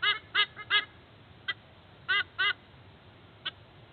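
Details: White-bellied sea eagle at a nest in Sydney Olympic Park, pre-dawn on 29 July 2024, while the pair incubates, giving loud, nasal, goose-like honks, about eight in uneven bursts over four seconds, with quiet between.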